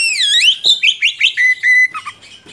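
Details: Oriental magpie-robin song for tutoring young birds: one deep swooping whistle, a string of short rising notes, and a level sustained whistle fading into soft notes.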